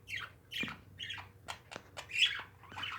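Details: Pet parakeets squawking indoors: harsh, scratchy calls spaced roughly half a second apart, each a short falling burst, with a few sharp ticks between them.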